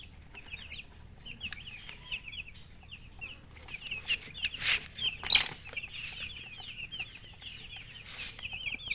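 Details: Young chicks chirp continuously, giving thin high peeps that sweep up and down in rapid strings, several birds overlapping, broken by a few soft rustling and tapping noises.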